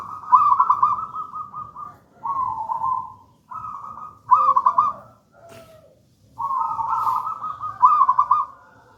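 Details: Local wild-type zebra dove, gedang rojo style, singing as a lure and master for other doves: series of rolling, vibrating coos with pauses, some phrases fuller and louder, faint click-like sounds between.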